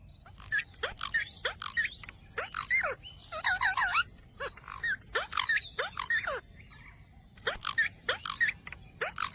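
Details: Rose-ringed parakeet talking, "Mitthu Mitthu": a steady stream of short, clipped, gruff syllables in quick groups across nine seconds, with one longer wavering phrase in the middle.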